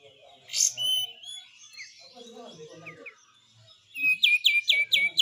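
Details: White-eye in besetan-style song: a bright opening note and a drawn-out whistle over faint low murmuring background sound, ending in a loud run of quick repeated downslurred notes.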